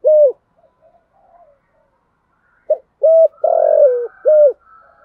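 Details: Decoy spotted dove cooing to draw and provoke wild males: a lone coo, soft background cooing, then one strong phrase of brief note, clipped coo, drawn-out vibrating roll and ending coo.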